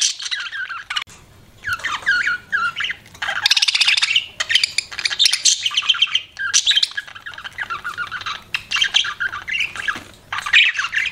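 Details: Budgerigar kept as a pet in lively chirping: rapid warbled phrases and harsh squawks in bursts, broken by short silences.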